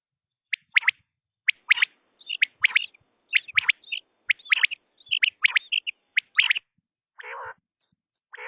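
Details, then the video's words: Quail calling: quick, sharp, high, clipped chirping notes in pairs and triplets, about one a second, with a softer rasp near the end. "quail sounds batair ki awaz"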